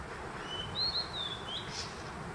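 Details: A Blue-and-white flycatcher at Konashidaira, Kamikochi, Japan, in June 2023 sings a thin, high whistled phrase that wavers for about a second and ends in a brief higher "jiji" note, typical of the species, over background hiss.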